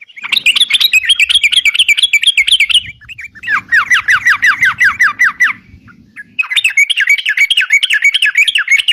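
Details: Sooty-headed bulbul, locally crucukan, in lively full song meant as a lure: three long bursts of fast, repeated looping whistled notes, each phrase a rapid chatter separated by short gaps, with faint low background noise.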